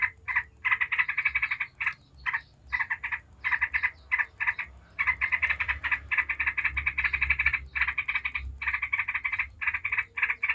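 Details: Yellow-vented bulbul in ngebren style, played as a lure to make other bulbuls answer and sing: dense bursts of bubbly, chattering notes in short runs with brief gaps, over a faint low hum.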